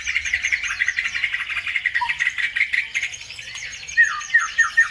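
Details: Bird song used to excite other birds into singing. Continuous rapid chattering and twittering, ending in a series of clear, descending, slurred whistles.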